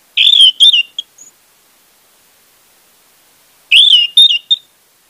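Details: Orange-headed thrush song played to coax a non-singing bird into song: two loud warbling phrases of slurred whistles, about three and a half seconds apart, each ending in a few softer notes.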